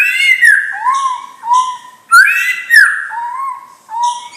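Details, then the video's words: Young white-rumped shama of champion lineage alternating buzzy, rich upper phrases with low, clear whistled notes held for about half a second, the pattern recurring roughly every second. "Murai Batu Bibit Trah Juara"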